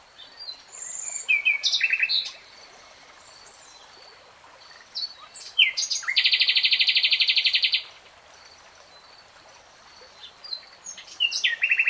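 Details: Common nightingale singing in woodland: varied phrases of chattering notes, whistles and a long, fast buzzing trill lasting about two seconds, separated by short pauses.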